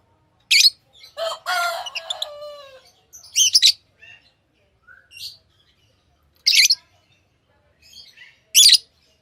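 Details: Tamed lovebirds mixing shrill chirps with a longer, lower, wavering squawk early on, then single sharp chirps roughly every two seconds.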